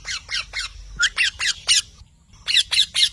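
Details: Parrot producing loud, rasping squawks in quick succession, about six in a row, a short gap, then three or four more harsh calls.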